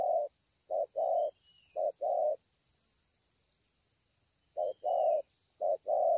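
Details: Spotted dove, a 'bổi' bird with a scarred breast, Ngọc Hồi, Vietnam, 25 March 2020: bursts of low short-long coo pairs, then a pause of about two seconds before the cooing resumes; a faint thin whistle and a steady high drone are in the background.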